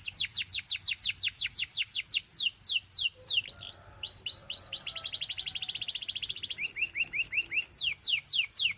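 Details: Belgian canary singing to prompt other canaries into song, with long runs of fast down-slurred whistles, a sustained buzzy trill in the middle, then rising notes and renewed sweeping phrases.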